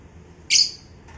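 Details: Lovebird from a pair being matched for breeding: a single harsh, high screech lasting about a quarter second, then a faint shorter note, over low room hum.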